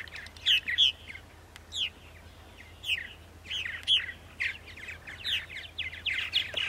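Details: Loud, rich purple martin calls at 8:30 on a spring morning, April 14, 2012, on Long Island, New York: gurgled, downslurred chirps in short groups separated by quieter moments.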